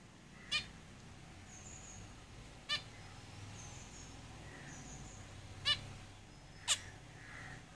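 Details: Caged zebra finches giving four short, nasal, harmonic call notes spaced one to three seconds apart, faint against a steady background hiss, with soft high whistles drifting between them.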